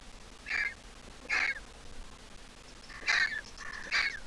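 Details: Griffon vulture nestling, all grown up, still squeaking: four short, harsh squeaky calls with bright overtones, two singly near the start and a closer pair toward the end, over a faint steady background hiss.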